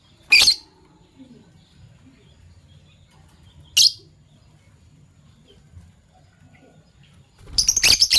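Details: Morning chirping from Fischer's lovebirds, a violet pied and a gold opaline euwing; two short, sharp, high buzzy chirps three seconds apart, then a longer rattling burst, with a faint low hum.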